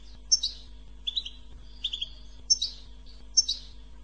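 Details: Goldfinch in 'bitbita' song for prompting goldfinches to sing. Bright chirps and whistles come roughly once a second, separated by lower rattling trill phrases, with a soft constant hum behind.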